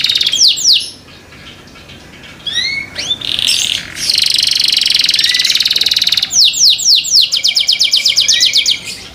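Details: Caged canary singing, its song claimed to draw other canaries in: quick downslurred notes, scattered rising chirps, a long harsh buzz, then a run of sweeping whistles and a fast, even trill.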